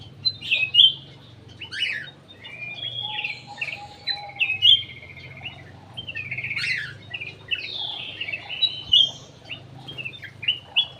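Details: Lure song of a cucak emas bulbul from an aviary: lively, varied whistles and chattering phrases in quick bursts, several sharp upslurred notes, steady low background hum throughout.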